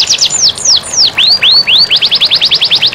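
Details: High canary song used as a master recording to coax reluctant canaries into singing: a few falling swoops, then rising arched whistles, then a quick run of repeated short notes, with running water hissing beneath.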